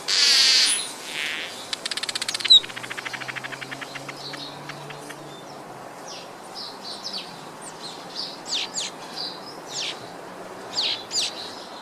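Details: Village weaver (Ploceus cucullatus), calls.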